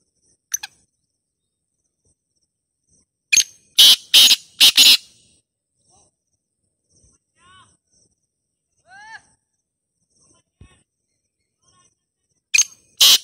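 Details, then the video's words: Black francolin, locally called kala teetar, giving a call meant to set other francolins calling: loud harsh grating bursts in a quick cluster, then a silent stretch with a few faint thin chirps, and another harsh pair at the end. "ہر تیتر کو بولنے والی آ واذ"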